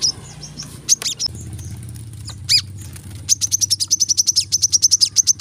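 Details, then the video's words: Brown-throated sunbird, dense 'tembakan rapat' song as cage-bird training audio: scattered high squeaks at first, then a sudden fast regular series of sharp ticking notes, over a steady low hum. "kolibri kelapa | manggar | wiceh | masteran temabakan rapat"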